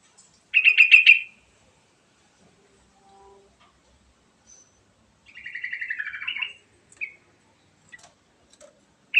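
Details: Yellow-vented bulbul singing, a lure to get other birds calling; a fast chattering burst, then a longer warbling phrase that slides downward before a brief upturned note, with scattered soft clicks.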